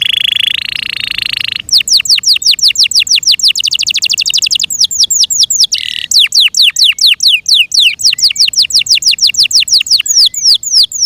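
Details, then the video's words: Loud Yorkshire canary song, opening with a steady buzzing trill, then long runs of rapid downward-sweeping whistled notes repeated at an even quick pace, with a brief trill midway. "THE BEAUTIFUL SOUND OF FI YORKSHIRE CANARIES"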